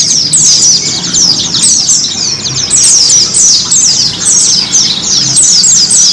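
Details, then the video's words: White-eye song: rapid, high, tinkling twitters in dense phrases of about a second, repeated almost without pause. "TERAPI PLECI mempercepat pleci ngiriwik, pleci ngalas,pleci buka paruh,dan pleci gacor"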